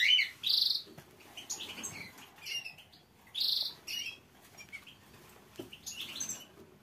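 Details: Green canary singing softly: bursts of bright, buzzy warbled phrases and quick twittering notes separated by short pauses, fairly quiet overall.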